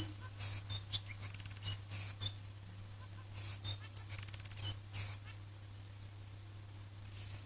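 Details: Male society finch singing in the morning: soft buzzy and squeaky notes with thin high whistles, delivered in irregular bursts over about five seconds, then quieter, all over a steady low electrical hum.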